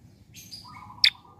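A prinia gives two sharp, high chips about a third of a second apart, after soft thin whistled notes. No other sounds stand out.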